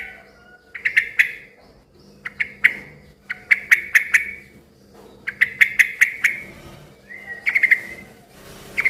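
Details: Gregarious, noisy yellow-vented bulbul calling to stir other bulbuls into answering. Bursts of clipped chirps repeat at irregular intervals of about a second, with one short slurred whistle near the end and faint hum behind.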